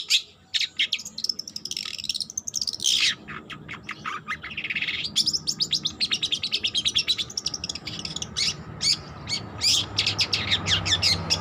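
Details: Young long-tailed shrike practising song: harsh rasping notes and sweeping slurs give way to a long fast rattle of clipped chirps, then more scattered squeaky notes.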